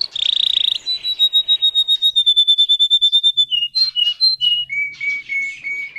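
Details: Russian canary bred for singing, caged: rapid trills and sustained whistled tours, a buzzy burst sliding into steady pulsed notes near one pitch, then brief higher and lower phrases and repeated clear notes.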